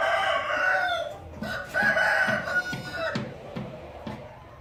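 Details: Rooster crowing: two long, drawn-out harmonic calls, the second rising in loudness and holding steady, with soft rhythmic clucking or pecking thumps underneath and faint background noise.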